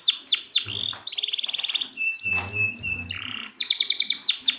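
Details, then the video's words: Canary song for tutoring silent birds: falling whistled slurs, a buzzy trill, flat held tones with faint low knocking beneath, then fast sharp repeated notes. "Masteran burung kenari macet"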